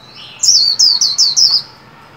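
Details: Trained caged white-eye at new year singing a brisk phrase of five high, clear whistled notes, each sliding downward, packed into about one second after a faint lower chirp.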